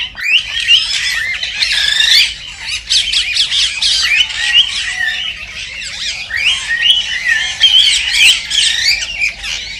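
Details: Several cockatiels chatter continuously, meant to encourage pairing and breeding; curling, wavering whistles and scratchy squawks overlap in steady pulses without pause.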